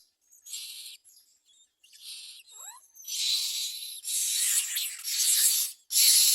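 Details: Common mynas give harsh, hissing bursts, about one a second and each up to a second long, with one brief sliding whistle between them, while bringing worms and crickets to feed their babies.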